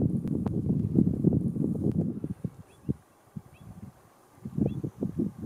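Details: Andean flamingos in the Atacama Desert: a flock gives dense, low, grunting gabble in rapid pulses. A quiet gap follows, then another burst of chatter. Faint short high chirps sound over the top.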